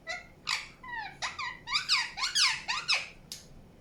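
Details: Indian ringneck parakeet in a rapid chattering run of descending and arched chirps, roughly two per second, growing louder midway then ending with a single burst.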